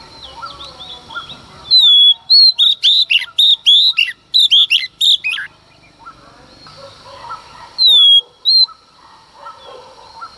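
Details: A female Oriental magpie-robin sings in the early morning to excite males, giving a dense series of loud, pure whistles with abrupt up-and-down slides, then two more whistles over faint chirping.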